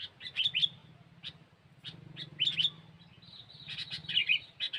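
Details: Sooty-headed bulbul for luring birds, a busy run of high, quick chirps and twittering notes in close succession, over a constant low hum in the background.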